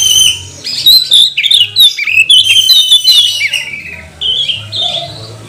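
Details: Magpie-robin lure song used to stir rival birds to sing: a varied run of loud whistles, trills and harsh chattering notes, easing into a few softer, sustained whistled tones near the end.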